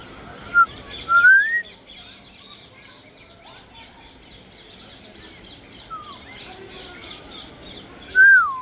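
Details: African grey parrot giving short whistled notes: a rising two-part whistle early, a brief falling note near six seconds, and a final rising-then-falling whistle, separated by quiet stretches with soft background chatter.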